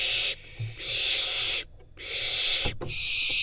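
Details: In Israel, a wild barn owl fledgling is handed a rodent by its parents; drawn-out, breathy hissing screeches run almost continuously with short gaps and a couple of knocks.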